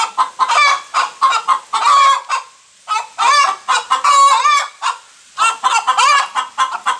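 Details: After laying an egg, a hen gives loud raucous cackles in grouped bursts, several drawn-out nasal squawks between quicker clucks, with brief quiet gaps of about half a second.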